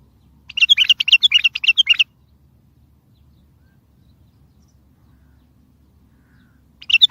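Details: Bulbul song used as a lure so distant bulbuls answer, for trapping, and to get silent bulbuls singing: a rapid burst of warbled, chattering notes lasting about a second and a half, a long quiet gap, then the phrase starting again.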